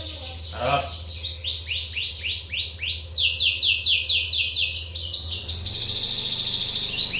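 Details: Canary lure song, sung to stir other canaries into singing; a continuous high roller of rapidly repeated downslurred notes, shifting between rolls of different speed and pitch, with a steady low electrical hum throughout.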